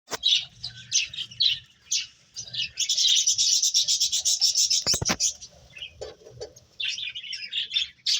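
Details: Several finches chirping while playing: dense, high, twittering chirps in rapid overlapping bursts, with a sustained busy stretch in the middle broken by a sharp click near five seconds, then scattered chirps resuming.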